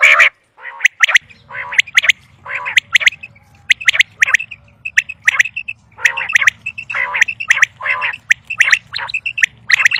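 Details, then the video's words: Common quail calling for quail hunting, a dense run of rasping harmonic bursts and quick high whistled notes with sharp clicks, repeated without pause over a low steady hum. "Common Quail Sound | For Quail Birds Hunting | Batair Ky Shikar ky Liye Batair Ki Awaz"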